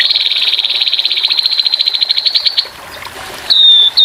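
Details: Rough 'tembakan kasar' song of the grey-headed babbler with running water: a long, fast, pulsed trill of over two seconds that slows toward its end, then after a pause a clear, slightly falling whistled note.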